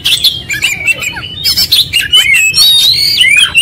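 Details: An oriental magpie-robin sings insistently in konslet style with its full repertoire: quick chirps and twittering about twice a second, then a louder run of slurred whistles and buzzy notes.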